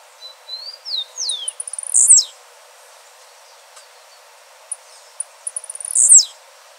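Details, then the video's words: Blue-black grassquit singing outdoors: each phrase begins with faint ticks that speed up and ends in a loud, very high downslurred buzz, heard twice about four seconds apart. Another bird's soft descending whistled notes come first. "Tiziu azulado dando um verdadeiro show na natureza de canto e beleza"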